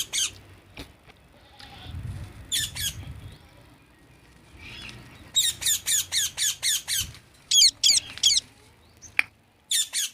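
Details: Parrot producing loud, raspy squawks: scattered single calls early on, then a rapid run of about seven harsh grating notes in quick succession, followed by further squawks in small bursts.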